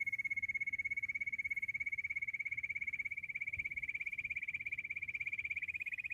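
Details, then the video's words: Bush quail calling, described as a hunting call: one continuous, very rapid, high pulsed trill at an even pitch that rises slightly and turns coarser toward the end, with a faint low hum beneath. "Amazing quail sound 👌 full girenti sound || battair shikar awaaz 🎶 Bush quail sound check"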